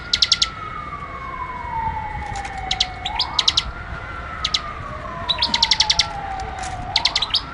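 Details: Bar-winged prinia singing lively for bird tutoring: short clusters of quick, sharp high chirps separated by pauses, over a slow rising and falling siren wail in the background.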